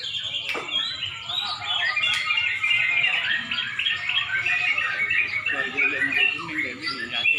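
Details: At a Pemalang songbird contest shortly before dusk, many Sooty-headed bulbuls pour out jumbled whistled and chattering phrases. A few sharp clicks and faint voices sound in the background.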